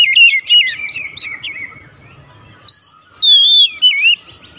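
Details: Oriental magpie-robin (kacer) singing in 'nembak' style. A quick jumble of warbled, twisting notes is followed by a pause, then clear rising and falling whistles in three strong bursts.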